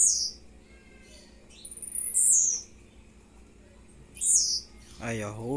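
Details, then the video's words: Blue-black grassquit, a captive young male bred in captivity, singing short, high, buzzy notes about every two seconds, with a man's voice speaking at the end. "TIZIU LUXO TOP ASSIM COMO VC NUNCA SHOW SEUS CANTOS"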